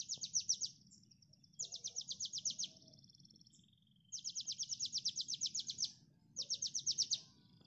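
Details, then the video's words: Konin song for songbird training: long bursts of rapid, high, rhythmic notes, each burst roughly a second long, linked by thin buzzy trills, with low background noise. "MASTERAN KONIN Tembakan mantap!!"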